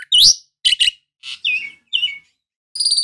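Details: Jalak suren, the Asian pied starling, giving spaced loud notes: a sharp rising whistle, harsh chattering bursts, then two downslurred whistles and a closing metallic ringing note, with silent gaps between.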